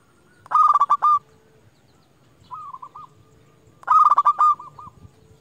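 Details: Local zebra dove kept as a lure to call opponents and provoke them. Two loud, rapid bursts of rolling coos are about three seconds apart. A brief, quieter series of looping coo notes sits between them.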